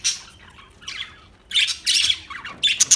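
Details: Budgerigar giving a few quick squawky chirps and buzzy notes, then two sharp high squeaks at the end.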